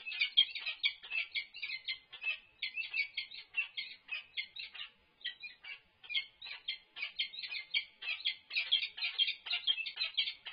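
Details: During a food delivery at their UC Berkeley nest on 3-6-24, peregrine falcons give a long, nearly unbroken chatter of rasping notes. There is one brief gap around the midpoint, and no background noise.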